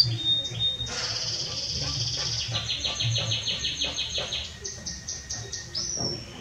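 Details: Belgian canary singing strongly: high sustained whistled notes shift into fast rolling trills and rapid pulsed phrases, ending on a rising slurred note, over a steady low background hum.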